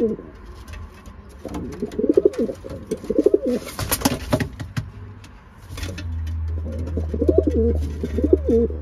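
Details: Racing pigeons during pairing up, several low pulsing coo phrases, a loud rustle or flapping mid-clip, then a low hum under more cooing.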